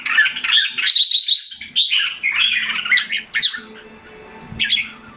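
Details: Caged red-whiskered bulbul in Singapore, July 2017, recovering from losing form. Bright warbled phrases come in the first half, then fade to a quiet stretch with a faint hum and one last short note.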